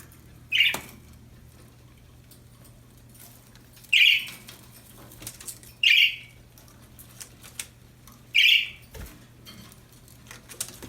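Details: Happy budgerigars, kept as pets, chirping: short bright chirps spaced about two seconds apart, four in all, with faint clicks and rustling between them.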